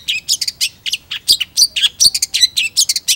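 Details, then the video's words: Long-tailed shrike pouring out a dense, rapid jumble of scratchy chirps, squeaks and buzzy high notes with hardly a break. "PENTET GACOR"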